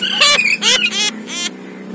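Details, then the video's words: A caged Oriental magpie-robin (kacer poci), a village contest champion kept about two years, sings in full form, giving four loud, harsh, squawky phrases in quick succession over a low steady hum. "BURUNG KACER POCI GACOR DOR"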